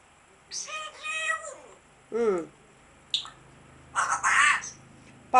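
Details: Grey parrot producing a varied series: harmonic chattering notes, a low descending croak, a brief sharp squeak, then a harsh noisy burst and a final loud call, indoors.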